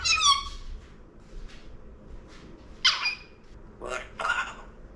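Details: A pet Congo African grey parrot mimics a cough indoors: an opening high, harmonic squawk, then a few short, rough, breathy bursts. The room is otherwise quiet, and the bird is not sick.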